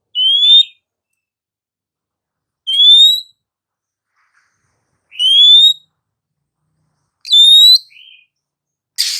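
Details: Female oriental magpie-robin song used to coax lazy, quiet males to sing; clean rising whistled notes repeated about every two and a half seconds, four phrases in all, on a silent background.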